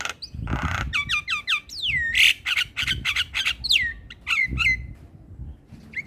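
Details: Javan pied starling morning song for teaching young starlings: a raspy burst, stacked chattering notes, long falling whistles and squeaky slurs, with faint low rumbling beneath.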